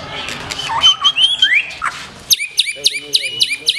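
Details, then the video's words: White-rumped shama of the black-tailed form in bold song. A varied run of sliding whistles and twisting notes gives way to a rapid, regular series of sharp, high chipping phrases repeated about four times a second. "SUARA BURUNG : Murai Batu Ekor Hitam, Tonjolan Mantap."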